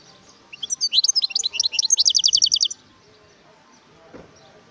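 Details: Song of a wild European goldfinch from Algeria: two seconds of high, jangling twitters running into an even, rapid trill, followed by quiet with a faint low thump.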